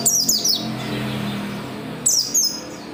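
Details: Oriental white-eye song used as a prompt for other white-eyes: brief high, thin twittering phrases at the start and end, set against a continuous low droning noise.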